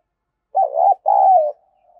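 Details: Decoy spotted dove calling to draw in wild doves: two hoarse low coos, the first wavering, the second longer and gently falling, then a faint trailing hum, with a clean, quiet background.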